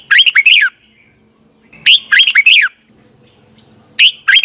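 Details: Red-whiskered bulbul singing its double twisted morning training song: three quick bursts of bright warbled notes, each a string of five or six rapid swooping chirps, separated by short quiet gaps.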